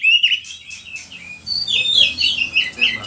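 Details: Oriental magpie-robin (kacer) singing a prolific lure song used to train other magpie-robins: high whistled notes, then a run of varied slurred and chattering phrases in quick succession.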